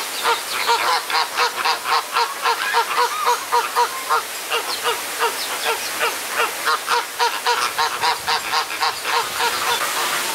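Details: Fighting flamingos at Jardin Botanique de Deshaies in Guadeloupe, kept in a tight space; steady rhythmic nasal honks, roughly three or four each second, from a group calling together with little pause.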